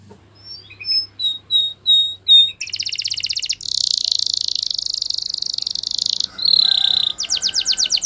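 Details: Spanish Timbrado canary training song: a run of clear, evenly repeated whistled notes, then long dense buzzing and metallic trills, a steady ringing tour and a final quick rattle.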